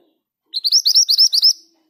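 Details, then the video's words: Scarlet minivet, locally mantenan gunung, a kept bird that sings readily even when hung among other birds; one rolling phrase of about eight quick, high, upward-sweeping whistled notes lasting about a second, no other sounds. "Burung ini mudah bunyi bahkan diombyokan! Suara ngerol dengan speed yang pas. MANTENAN GACOR"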